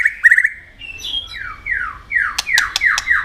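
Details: Singing white-rumped shama in a contest: a quick stuttering opening, then a run of downward-sliding whistled notes, with loud sharp clicks near the end.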